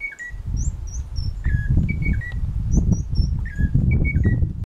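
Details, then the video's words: A Munchique wood-wren in Las Orquídeas National Natural Park, Colombia, gives clear, short whistled notes, some slurring downward, in quick repeated series at two pitches over a steady low rumble. "Munchique Wood-Wren"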